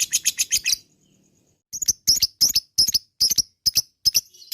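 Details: Lovebird chatter in a lure recording: a quick burst of shrill chirps, a one-second gap, then uneven clusters of sharp, buzzy double and triple chirps.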